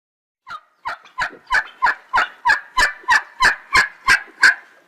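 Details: Turkey calling in a steady series of about a dozen short, sharp notes, roughly three per second, each note bright and clipped, growing louder toward the end, with no other sounds.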